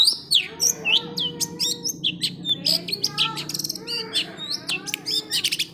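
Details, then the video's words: Long-tailed shrike singing a busy, varied medley of sharp chirps, whistled slurs and harsh notes in quick succession, with a faint low hum beneath. "burung pentet/cendet gacor isian"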